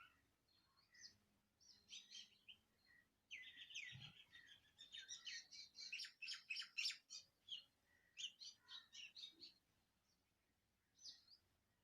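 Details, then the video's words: Birds singing in Andhra Pradesh, India: dense bursts of high chirps and twittering notes, rapid and irregular, swelling through the middle seconds before fading to a lone call. "Birds singing in Andhra Pradesh india"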